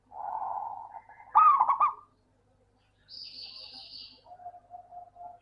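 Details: Local zebra dove song as a lure for lazy doves: a low purring coo, then a brief staccato cooing burst, followed by a high buzzy sound from another source and a run of soft repeated low notes.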